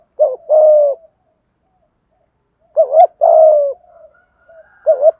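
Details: Spotted dove giving 'thúc gù' coos meant to set wild and decoy doves cooing: a short note then a long level coo, a pause, the same phrase repeated, then a quick doubled note at the end.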